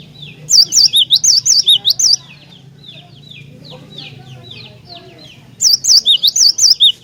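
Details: Energetic cinereous tit song meant to prompt other tits to sing: two bursts of rapid, swooping high-low whistled notes separated by a pause filled with softer, distant chirps.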